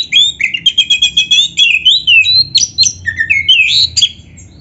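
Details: Black-breasted Oriental magpie-robin in vigorous song, full of imitated phrases, played to get other magpie-robins to reply. A dense, quick series of bright whistles, trills and upward slides comes about four notes a second, loud and clear.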